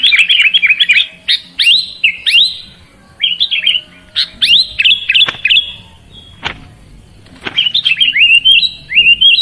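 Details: Sooty-headed bulbul song in bursts of quick whistled notes with rapid up-and-down inflections, separated by short pauses, with occasional sharp clicks.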